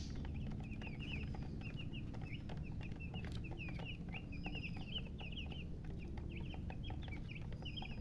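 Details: Chorus of newly hatched chicks giving loud, shrill chirps in quick irregular runs, overlapping peeps filling the whole span above a steady low background hum.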